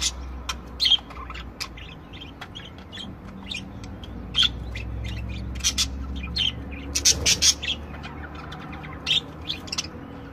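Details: Budgerigars of several kinds chattering steadily: rapid ticking clicks and short squeaky chirps throughout, building into a busier knot of sharp notes midway before settling into continued scratchy warbling.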